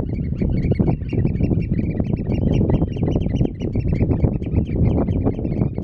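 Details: Eurasian oystercatchers calling at Terschelling in the Netherlands, on grass and mudflats; a dense run of shrill, clipped piping notes repeats rapidly over strong low-pitched wind noise.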